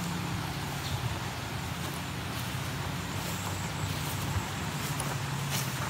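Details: Continuous engine drone and wind rush with a low steady hum and faint scattered ticks, with no animal sound.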